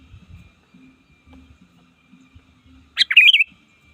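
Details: Trained sooty-headed bulbul calling rivals in the wild gives a single quick, bubbling warbled phrase near the end after low muffled rumbling sounds.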